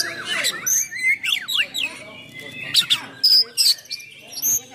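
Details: Oriental magpie-robin giving a rough-filled song meant to provoke and train other magpie-robins: a loose mix of swooping whistles, downslurred notes and sharp high chirps, separated by short pauses.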